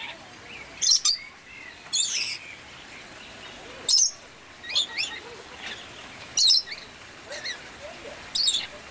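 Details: Red lorikeets, from the Moluccas and surrounding islands of Indonesia, giving harsh, screechy high-pitched bursts in irregular clusters every second or two, with fainter squeaky notes between them.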